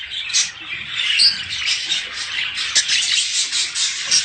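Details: Budgerigars chattering in a mating sound meant to stimulate breeding: high, scratchy warbles and squeaks overlapping continuously, with a few sharp clicks.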